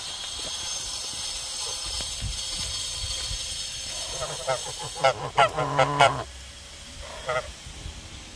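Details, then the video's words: Guard geese, said to be more aggressive than guard dogs: several seconds of hissy background noise, then a cluster of loud, nasal honks in rapid succession, followed by one more short honk after a pause. "Vorsicht Wachgänse - agressiver als Wachhunde! Beware of the guard geese!"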